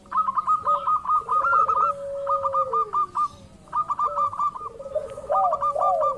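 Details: Local zebra dove lure calls meant to make rivals respond: repeated rapid runs of short high coos with a long falling low coo beneath, several doves calling over one another.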